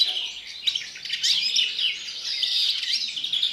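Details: A captive European greenfinch gives its pre-breeding song, a fast, unbroken twittering of high chirps, trills and slurred notes, with nothing else heard behind it.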